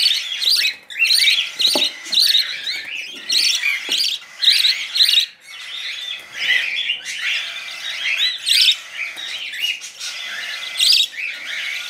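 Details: Young budgerigars fed baby formula with a bent coffee spoon give a continuous run of scratchy, high-pitched begging chirps in rhythmic bursts, with brief spoon clicks and handling noises.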